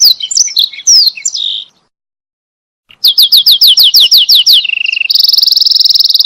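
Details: Singing canary as a tutor for other canaries: bright twitters, a brief silence, about nine rapid descending swoops in a row, a short lower trill, then a fast, sustained high trill.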